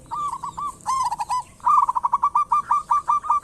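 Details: Local zebra dove song, played as a lure to start other birds singing: a few slurred coos, then a fast run of evenly spaced, staccato rolling notes at a steady pitch.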